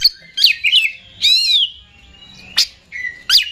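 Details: Oriental magpie-robin, a caged songbird, singing in a lively competition style: loud high whistles, sharp rising and falling notes and bright trills, separated by brief gaps.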